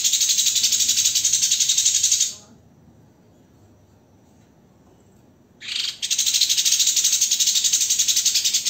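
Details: Dense, harsh 'tembakan' shots from a white-rumped shama, recorded as a master track for training songbirds. Two long runs of rapid, rasping high-pitched bursts are separated by about three seconds of near silence.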